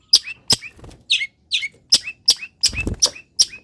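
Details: Long-tailed shrike, caged, singing in morning sun after misting; rapid sharp high notes with falling tails, mixed with a few buzzier notes, about two to three per second.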